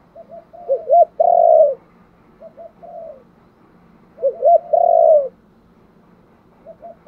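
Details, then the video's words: Spotted dove's luring call: two identical phrases about three seconds apart, each of quick rising notes then a long loud hoot, with soft coos and a low hum between. "cu gáy thúc gù gáy gọi/ tiếng chim cu gáy đủ bài"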